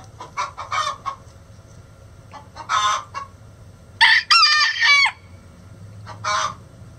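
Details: Loud chicken egg song: bursts of short clucks spaced a couple of seconds apart, then a prolonged, wavering, squawking note near the middle, with farm hum underneath.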